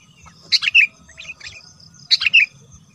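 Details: Sooty-headed bulbul used as a lure for wild bulbuls: two bright, brief chirped phrases about a second and a half apart, each sliding downward, softer notes between, over a low rumble.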